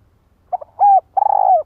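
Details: One phrase from a decoy female spotted dove calling to provoke a male: two short coos, a steady mellow coo, then a longer trembling coo that fades down at the end.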